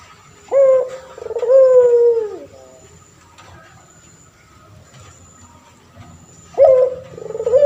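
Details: Caged male turtle dove of the puter pelung type, used as a training voice for other birds: one full low coo phrase with a quavering middle and a falling end, a quiet pause, then the next phrase begins.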